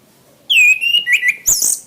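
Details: Orange-headed thrush song used as a master recording for training cage birds: a clear whistled note sliding down, then warbled whistled phrases, ending in a burst of harsh, high, buzzy notes.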